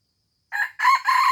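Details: Red junglefowl of Aceh crowing for a lure recording, the crow cut short: a short harsh opening note followed by a loud, sustained buzzy phrase that runs to the end.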